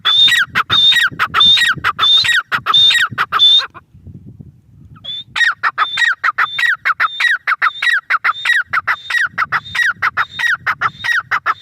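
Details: Grey francolin (teetar) calling loudly in a rapid rhythmic series of harsh, ringing phrases with a high whistled note, pausing briefly before resuming an even faster run of repeated notes.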